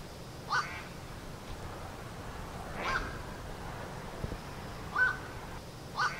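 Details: Black-crowned night heron, recorded on a Zoom H1n: short, harsh, croaking single calls, like a hoarse 'kwok', repeated four times at uneven intervals of one to two seconds over a soft, steady background hiss.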